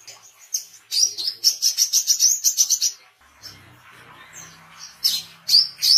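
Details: Oriental white-eye chirping for songbird training and attracting wild birds: a fast run of bright high notes for two seconds, a low humming pause, then a few more sharp chirps.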